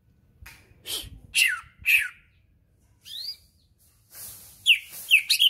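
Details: Preparing for a contest, a leafbird from Berau mixes scratchy chirps and falling whistles with a rising note, ending in a fast flurry of sharp twittering phrases.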